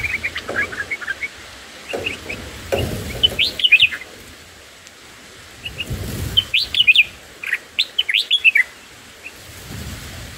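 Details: Nestling black-headed bulbuls in the nest at feeding time, day one: bursts of high, excited chirping twice, separated by quieter stretches with low rustling thumps.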